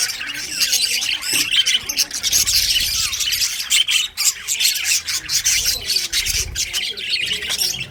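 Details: Winter chorus of budgerigars: a constant overlapping mass of high chirps, rasps and twittering squawks with few pauses, and a faint low rumble in the background.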